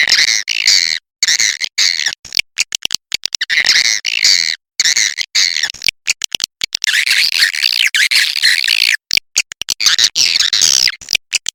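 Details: Swiftlet lure call used to attract swiftlets: dense, continuous buzzy chattering and rapid clicking bursts, high-pitched and harsh, broken by brief dropouts.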